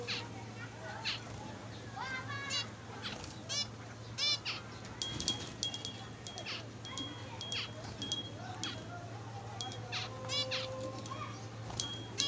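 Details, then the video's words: Several zebra finches chatter with nasal, toy-trumpet beeps and short buzzy phrases at once, over a steady low hum and high metallic clinks. "জেব্রা ফিঞ্চ পাখির ডাক । Zebra Finch sings"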